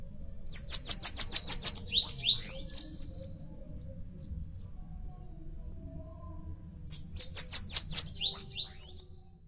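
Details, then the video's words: Purple-throated euphonia, called vim-vim de coqueiro, calling in two bouts: a fast string of high, thin repeated notes running into upward-sweeping slurred whistles, then silence and a second similar series; low steady hum behind. "Este é o pássaro vim vim de coqueiro"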